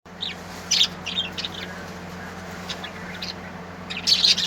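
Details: Beautiful colourful birds singing: a few short, high, scratchy chirps scattered across the recording, with a louder twittering burst near the end over a steady low hum.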